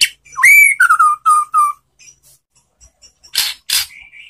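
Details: Relaxed song of a white-rumped shama meant to coax answering song: a bright rising whistle, then three or four steady lower whistled notes, followed by faint soft notes and two harsh bursts.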